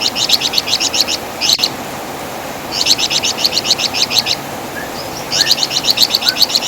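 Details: Training recording of the Javan fulvetta (wergan jawa), a loud singer with distinctive chattering: three bursts of fast, high, repeated chirps separated by pauses, with a few faint thin whistles between.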